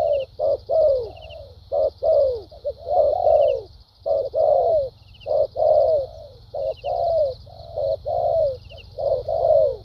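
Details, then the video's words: A wild-caught spotted dove with a good fighting temperament gives its cooing in the thúc gù and lèo dặm styles: low, mellow coos in short repeated groups with brief gaps, while a faint high buzzing and a low rumble sit behind. "nết chơi thúc gù,lèo dặm quá hay"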